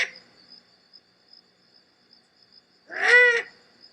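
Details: A Great Horned Owl in the Southern California mountains gives a single harsh, raspy begging squawk lasting about half a second, over a faint steady high insect trill; the same bird later switches to hoots.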